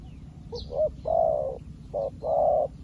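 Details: A recently acquired decoy spotted dove calls to wild doves with close, mellow coos: brief clipped notes mixed with longer, throaty drawn-out ones, and a faint bird chirp above.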